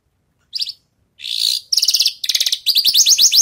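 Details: After moult a Javan bush lark practises song: a short trill, a harsh buzz, two rapid rattling phrases, then accelerating bright upslurred chirps.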